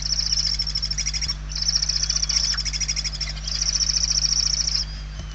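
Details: Barn owl nestlings, hungry, in the interior of a nest in Spain, late November 2023: three long rasping, rapidly pulsed hisses, each about one to one and a half seconds, with a constant low hum behind.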